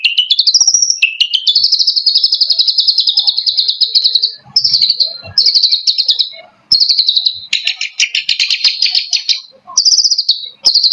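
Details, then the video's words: Long-tailed shrike (cendet) from East Java in provocateur song: long, buzzy, high trills in phrases of one to two seconds, some rising at the start, broken by short pauses. "Cendet pentet toed profokator"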